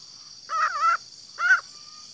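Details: Green junglefowl hen voice used for luring cocks: one drawn-out, wavering nasal note, then a shorter arched note after a pause of about half a second.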